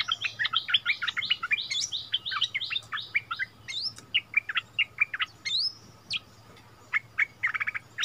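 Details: Bulbul song duel between a returned decoy bird and the new resident territory holder, February 2021. Rapid, jumbled warbling of sharp chirps and swooping whistles, at times overlapping, with a faint low hum beneath.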